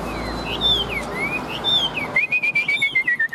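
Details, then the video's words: Caged Chinese hwamei, a fighting-song bird fanning its tail and flicking its wings, singing loud clear slurred whistles that rise and fall, then a fast run of repeated whistled notes, over steady background noise. "Đấu Xòe Đuôi Chơi Cánh Điện Căng Hót Tốt.Bản Lĩnh Hót Đấu Ok"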